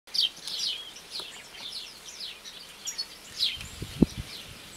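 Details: Eurasian blackcap singing: short bursts of bright, twittering high notes near the start and again around the middle, separated by quieter pauses, with a soft low thump near the end and faint background birdsong.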